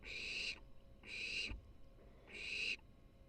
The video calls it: baby barn owl #3 purrs in excitement